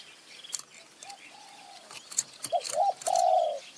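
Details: Spotted dove in high mountain forest, decoy bird set out to lure it; faint soft coos, then clicks and a loud phrase of short coos ending in a long, steady mellow note.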